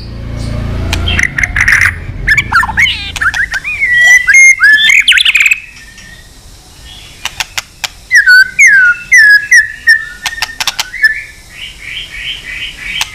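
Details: White-rumped shama long song for provoking a fight: bursts of varied whistles and chips, a short quiet gap, then more loud slurred whistles and a quick trill at the end.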